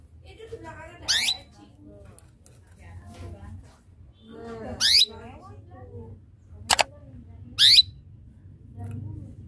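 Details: Canary giving chirping calls meant to draw a rival into singing: four short, sharp upward-sweeping chirps spaced irregularly, with softer murmuring sounds in between.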